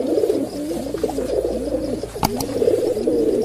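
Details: A large flock of pigeons at the Gateway of India gives a dense, continuous chorus of low, throaty, overlapping coos, with a brief sharp clap near the end over a steady low hum.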